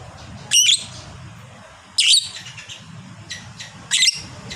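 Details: Lovebird, a fighter hobby bird, uttering short harsh shrill bursts about every one and a half seconds, three loud ones and a fainter one, against a low rumbling background.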